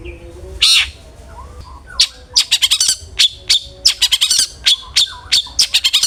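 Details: A long-tailed shrike's 'ngeplong' lure song: one harsh opening note, then a fast, varied chatter of sharp clicks and short whistles, dense and restless, with a few softer slurred notes.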